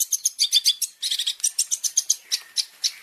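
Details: Long-tailed shrike song for training caged birds, full of varied fill-in phrases: quick, scratchy, very high chatter at about four notes a second, fading slightly toward the end.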